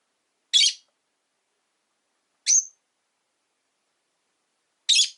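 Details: A caged rosy-faced lovebird from a household of five birds kept near a window gives three short, piercing high chirps spaced roughly two seconds apart, with silence between the notes.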